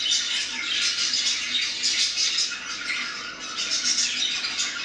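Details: Pet budgerigars, four days in their new home, chatter continuously in a busy, high-pitched stream of squeaks and warbles.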